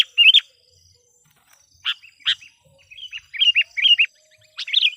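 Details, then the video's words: Sooty-headed bulbul decoy, chatty, luring wild bulbuls: a quick bubbly phrase, two sharp loud notes, then a run of short wavering chirps and a final bright flourish. "suara PIKAT KUTILANG gacor memanggil kutilang liar"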